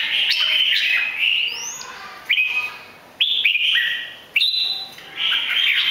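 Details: Red-whiskered bulbul, three seasons old, from Bình Định, Vietnam, singing while performing a butterfly-wing display. Bright whistled phrases that slide and warble, with short pauses between bursts.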